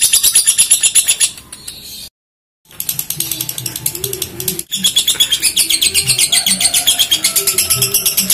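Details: Lovebird singing at a songbird contest in Kelangdepok, Comal, Pemalang, Central Java, Indonesia: long stretches of very fast, high, buzzy chattering trills, broken by a short gap, with murmuring voices and low crowd noise beneath.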